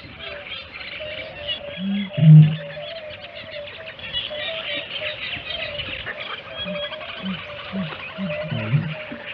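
A great bittern gives a very low, hollow boom, once loudly and then softer at intervals, over a dense chorus of small birds and insects.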